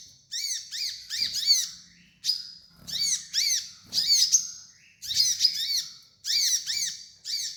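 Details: Kolibri ninja sunbird song, played as a training master for young birds: bursts of high, bright chirps and rising-falling slurred notes in quick clusters, repeated roughly every second with short pauses, no other sounds.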